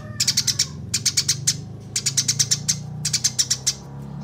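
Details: Eurasian tree sparrows fighting, recorded as a training recording for songbirds: bright, clear chirps in quick bursts of four to six notes, repeated about once a second, over a steady low hum.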